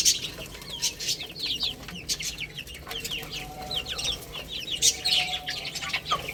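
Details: Several baby chicks peep while they play and feed, sharp high downward-sliding chirps repeated in a steady overlapping stream, light tapping sounds mixed in.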